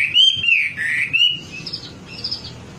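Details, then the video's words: Wambi singing for a birdkeepers' lure track: a few loud, drawn-out whistles slurring down and up, then softer, thinner high notes trailing off. "Suara pancingan burung wambi agar cepat gacor"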